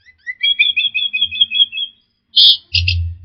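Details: Orange-headed thrush singing, played as a lure for stressed birds that stopped singing: a long, steady, rapidly pulsed whistled trill, then short harsh high bursts, with a low droning hum at the end.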